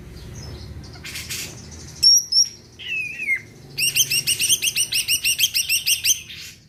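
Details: Greater green leafbird, a caged songbird kept to make other birds sing, giving high thin whistles and a descending slurred note, then a long fast series of repeated rasping notes about three per second.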